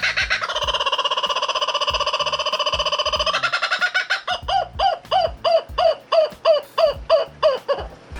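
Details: A kookaburra, heard at a reptile facility (New England Reptile Distributors), opens with a steady, rolling chortle for about three seconds, then breaks into loud, arching laughing notes, roughly three per second, rising and falling.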